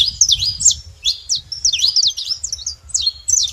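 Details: Bright, quick chirps from saffron finches together, grouped into short bursts of two to four slurred notes separated by tiny pauses; soft low rumble in the background.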